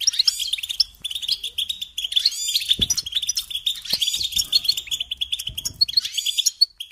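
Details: Goldfinch song, a sustained rush of high twittering with buzzy, slurred notes woven through, plus a couple of faint low taps.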